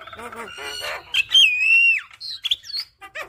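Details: Javan myna; song; master song for training young birds to sing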